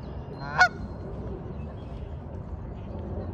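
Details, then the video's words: A father goose searching for his separated mate gives a single loud, nasal, desperate honk that breaks off quickly, over a steady low rumble of background noise. "Daddy Goose Makes Desperate Call"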